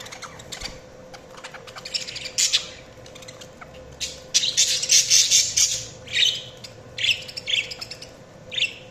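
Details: Budgerigar chatter growing louder midway into loud, harsh, buzzy squawking bursts in rapid succession, with softer chirps between them and a low hum behind.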